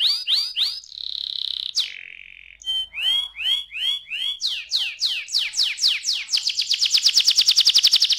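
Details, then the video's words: Young canary in full song: quick descending notes, then a steady buzzy trill, a pause, a series of arched whistled syllables growing faster, and finally a dense rapid high rattle. "ampuh membuat kenari muda gacor"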